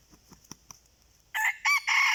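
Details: Wild red junglefowl rooster answering a decoy: a loud, harsh crow in four quick segments near the end, after faint ticking and insect hum.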